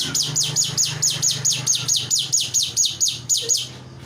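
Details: Myna singing for training other songbirds: a rapid, even series of sharp descending high chirps, about three per second, over a low steady hum.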